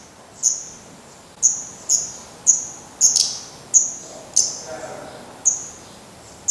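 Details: Fledgling black redstarts at their nest in Portugal, downy-headed and still fed by the parents after first flights, repeat piercing high call notes at irregular intervals of about half a second to a second.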